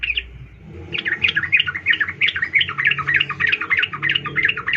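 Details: Sooty-headed bulbul, female calling a male, used as a lure for males; continuous quick chattering chirps over noticeable background hiss and low rumble.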